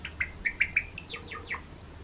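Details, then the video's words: Short calls from a cream-coloured pet Java sparrow: four quick bright chirps, then a run of thin descending slurred notes, all within two seconds, in a quiet indoor setting. "クリーム文鳥チノの鳴き声 Java Sparrow"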